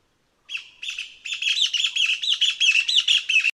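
Taiwan Partridge song: a run of high, squeaky, tinny notes that quickens and grows louder over about three seconds, with no other sounds.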